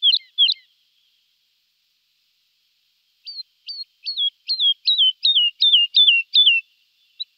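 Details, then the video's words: Lark song opens with two loud chirps, then a long pause. A regular series of about ten stepped, falling whistles follows, building in volume, then one last short note. "Жаворонок lark"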